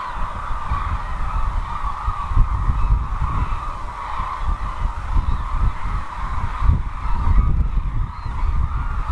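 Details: At Izumi in Kagoshima, Japan, a wintering crane flock calls nonstop: a dense, even band of nasal trumpeting from countless birds, accompanied by strong low wind rumble throughout.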